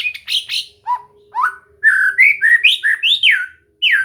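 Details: Trained white-rumped shama: a few low whistles and pauses lead into a lively run of loud, swooping whistled phrases, each rising and then falling.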